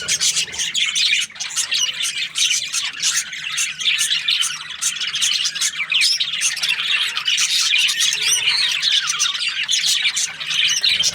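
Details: Budgie chirping happily, a continuous scratchy warble full of quick chirps, clicks and short squawks, stacked densely and sustained throughout.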